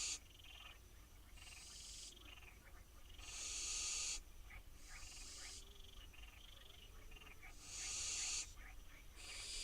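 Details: Wild barn owl fledglings on their nest box in Israel, waiting for dinner, give long rasping hisses. Each lasts about a second, and roughly six bursts come in ten seconds, separated by quieter gaps.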